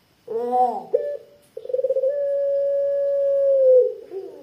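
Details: Barbary dove (puter pelung), a thick long-'kwook' caller used as a lure for doves: a rich throaty opening note and a clipped second note, then a pulsing start grows into a long level coo that drops at the end.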